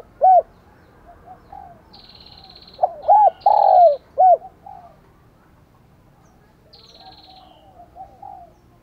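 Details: Decoy spotted dove cooing in the morning to lure wild doves: a soft mellow phrase of rounded coos, an early single note, then a cluster with a longer drawn note, plus faint high thin tones and quieter distant cooing.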